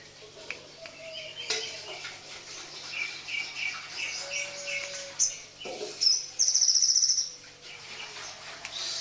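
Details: Crested jay singing in the morning: scattered high chirps and short notes, then a loud, fast, even rattle of clicking high notes lasting about a second near the end, with faint lower whistles from other birds in the background.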